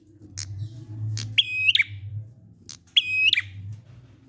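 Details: Prinia ngalun song to prompt silent birds to sing: two phrases, each a high thin note, then a harsh buzzy trill finishing with a sharp descending note, over a steady low drone.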